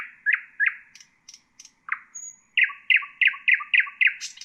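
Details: Common nightingale singing, a recording meant to train bulbuls and songbirds: a few falling slurred notes and scattered high chips, then a rapid run of about seven identical repeated notes, each with a lower companion note, ending in a bright burst.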